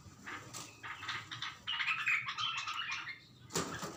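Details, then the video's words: A bulbul that sees itself in a mirror utters bursts of quick, slightly harsh chirping notes, a chattering run in the middle, with a sharp tapping or rustling sound at the end. "Bulbul khud ko Sheshay men dekh kar | بلبل خود کو شیشے میں دیکھ کر"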